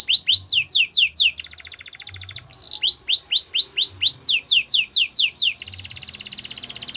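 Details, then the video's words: Belgian canary song with looping upslurred whistles alternating with dense, buzzing high trills; the whistle phrases repeat several times, and the song ends on a long rattling trill. "Melodies canary bird song | Belgian canary singing"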